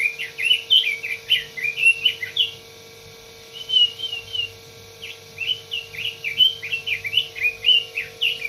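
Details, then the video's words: Red-billed leiothrix singing: rapid, fluty warbled phrases of rising and falling whistled notes, delivered in two bursts separated by a pause of about two seconds, over a steady low background hum. "Suara burung robin.."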